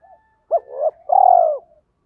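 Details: Single coo phrase from a spotted dove, thổ pha đồng style, played to lure wild doves: a quick rising blip, a swelling middle note, then a long steady low coo fading out.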